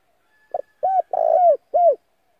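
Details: Decoy spotted dove calling to lure in wild doves, a call also played for voice training. One phrase: a brief soft note, an arched coo, a long husky coo, then a final falling coo.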